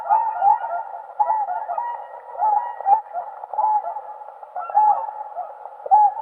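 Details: Chorus of Whooper swan (Cygnus cygnus) voices: repeated mellow trumpeting honks, some paired, rise above a dense, continuous background of many swans calling together.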